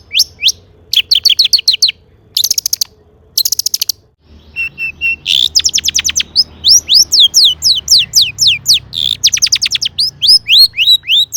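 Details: Long-tailed shrike singing a rich, varied song to get other shrikes singing. Bursts of rapid high notes and buzzy blocks come first, followed by a long series of sweeping, downward-curving whistles, each under half a second apart.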